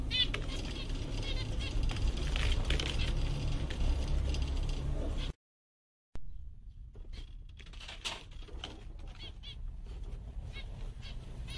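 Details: Seven contented zebra finches on a summer day give short nasal beeping chirps, rapid and overlapping, over a steady low rumble, with a brief silence.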